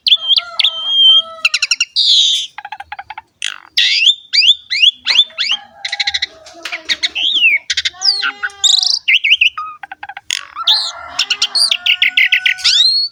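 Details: Extended Asian pied starling song, played to get young birds and reluctant singers going: a dense medley of rapid ticks, rising and falling whistles, harsh buzzy phrases and looping chirps with few pauses.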